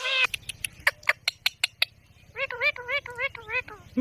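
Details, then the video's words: Indian ringneck parrot imitating words: a loud opening syllable, a string of sharp clicks, then five or six wavering, nasal speech-like syllables repeated quickly, with a faint low hum behind. "The Talking Ringneck Parrot"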